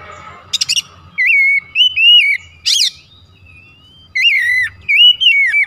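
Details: Oriental magpie-robin song used as a lure to make other magpie-robins aggressive: bright, loud whistles that slur up and down in looping phrases, broken by quick stuttering chips and a harsh rasp.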